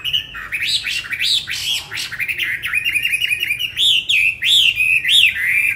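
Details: Tame cage-kept Chinese hwamei from Hà Nội, Vietnam, giving a lively series of rising and falling whistled phrases repeated in quick succession, growing louder and more melodic toward the end.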